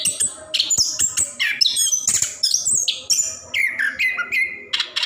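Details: Anis kembang, the orange-headed thrush, singing a long unbroken song to encourage lazy caged birds: harsh squeaky notes are mixed with bright whistles and clicks in quick, shifting bursts.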